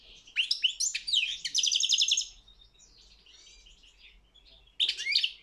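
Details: European goldfinch singing at a world championship singing competition: a rapid, liquid twittering run of high chirps and buzzy trills lasting about two seconds, a quieter twittering pause, then a fresh bright burst near the end.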